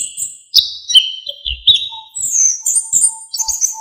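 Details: Orange-headed thrush in lively, varied song, meant as a training recording for other songbirds. The bird gives sliding whistles, then a climb to very high, thin trilled notes, with a faint low tone repeating underneath.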